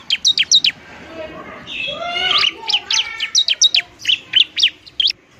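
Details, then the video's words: Bar-winged prinia, a fighting bird used to lure and stimulate lazy birds to sing: rapid, high, sharply rising and falling chirps in steady series, with a softer lower warbling whistle in the middle. "ciblek semi gacor, ciblek TARUNG mantap buat pikat dan PANCINGAN ciblek semi malas bunyi"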